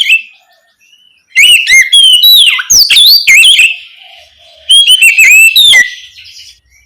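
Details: Loud nocturnal ngeplong singing by an Oriental magpie-robin, meant to stimulate young spotted birds to reply; a long varied phrase of rising and falling whistles and sharp chirps, a lull, then a shorter whistled burst.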